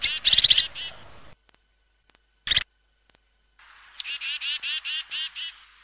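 European crested tit giving high, rapid trills of buzzy repeated notes, about eight a second, in short bursts separated by silence.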